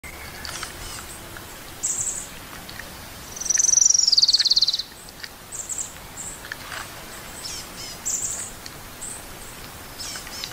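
An orange-crowned warbler gives a high, fast trill of about a second and a half, dropping slightly in pitch, amid brief high chips from other birds.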